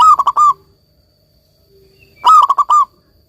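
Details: Local zebra dove (perkutut lokal) singing vigorously, recorded to coax doves that have stopped singing. Two phrases of rapid, throaty staccato cooing notes, each a quick burst of about five pulses, separated by a quiet gap.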